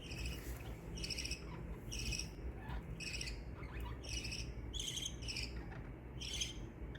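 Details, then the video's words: Pet budgerigars making happy sounds: repeated buzzy chirps roughly every second, fairly soft against a strong low rumbling background noise. "Budgie sounds to make your budgies happy"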